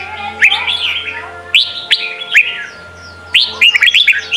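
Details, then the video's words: Sông Kon style song of the Red-whiskered bulbul for training young birds: a few loud, bright upward-slurred whistles, a pause, then a quick cluster of chirpy notes, over a low hum. "Chào mào hót: 35 phút Luyện giọng Sông kon mỗi ngày! เสียงฝึกลูกนก | นกปรอดหัวโขน"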